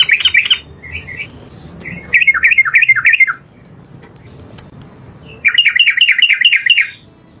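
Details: Yellow-vented bulbul, trucukan garuda, singing vigorously in 'gacor' style: short bubbly phrases of rapid up-and-down chirps, a longer run of about six notes at the end, and low hum between phrases.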